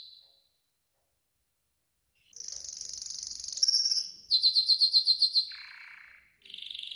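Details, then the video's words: Yellow golden canary training song. Silence for about two seconds, then a buzzy high roll, a fast clipped trill, a lower burry tour and a final high rolled phrase. "Yellow GOLDEN Canary 12h Training Song"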